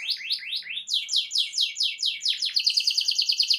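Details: Loud canary song used to get other canaries to reply. It opens with a few slow downward slurs, speeds into repeated sweeping notes and ends in a rapid, tight, high trill.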